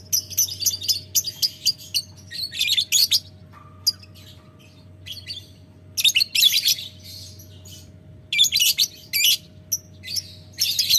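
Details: Lovebird trading ngetik ngekek calls with a rival: rapid scratchy ticking at first, a pause with a faint thin tone, then longer bursts of shrill chattering resume in clusters.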